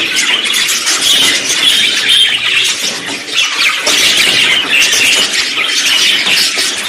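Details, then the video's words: Budgerigars in full song, blending contact calls and courtship singing: dense squawking, chirping warble with brief lulls before the chatter surges again. "NINGÚN PERIQUITO SE RESISTE A ESTE AUDIO II: cantará, causará cortejo y se sentirá en compañía"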